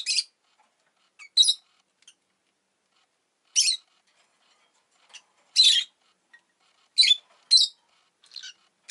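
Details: Rosy-faced lovebird at home, egg freshly laid, repeating shrill raspy chirps in irregular ones and twos, with quiet gaps between.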